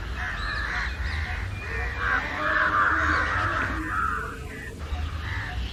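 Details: Many house crows and jungle crows crying constantly during a mobbing episode; rapid overlapping harsh caws build to a loud peak, then break into separate calls.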